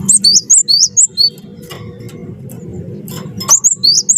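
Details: Singing cinereous tit, wingko style, meant to coax other birds into song: crisp high two-part whistled notes repeated quickly in a burst, a pause of about two seconds, then another fast burst, over low background hum.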